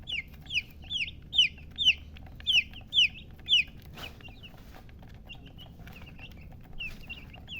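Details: Baby chicken chick chirping loudly: shrill, high peeps that drop steeply in pitch, repeated roughly every half second, then quieter peeps trailing off, with faint low background hum.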